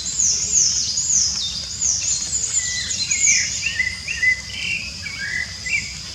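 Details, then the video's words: Wild rufous-bellied thrush in song in Brazil, its clear whistled notes looping up and down in a varied phrase, while very high, sharply slurred chirps from another bird repeat above and a constant insect buzz fills the background. "Sabiá Laranjeira Cantando Livre nanatureza!!!"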